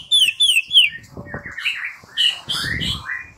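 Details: White-rumped shama song used as a lure to make another shama answer and sing: a run of clear downslurred whistles, then a tumble of buzzy, chattering phrases.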